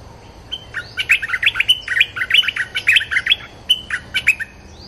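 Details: Bulbul lure recording used for luring wild birds: lively, bubbly phrases of short slurred whistled notes, rising and falling, repeated in quick bursts over several seconds against a quiet background.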